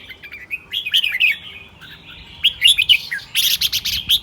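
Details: Morning song of a caged red-whiskered bulbul: brief bright whistled phrases, a pause, then a faster run of warbled notes mixed with crisp high chirps.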